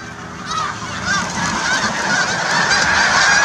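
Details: Snow geese in flight, a large flock giving dense, overlapping nasal honks and yelping calls that build in loudness and carry steadily throughout.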